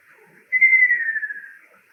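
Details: Male Ruddy kingfisher, a summer migrant in Japan, giving one rolling trilled phrase of about one second that starts loud and high, then slides steadily lower and fades away.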